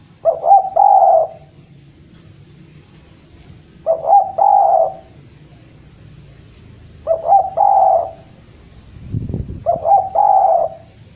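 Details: Spotted dove from Java calling to challenge a rival: four soft, hollow coo phrases, a quick double note running into a drawn-out purring coo, spaced roughly three seconds apart, with a dull thump near the end and steady low hum.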